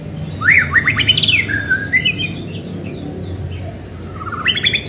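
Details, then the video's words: Energetic white-rumped shama singing to trigger song in other shamas, opening with loud rising whistled sweeps, then varied slurred whistles and chatters, another burst of rising notes at the end, low hum behind. "Murai gacor cepat memancing bunyi"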